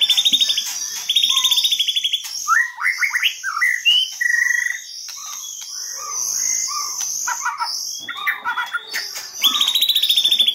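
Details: White-rumped shama lure: opens and closes with fast buzzy rattles, between them varied clear whistles, rising slurs and short trills, all over a constant high-pitched whine.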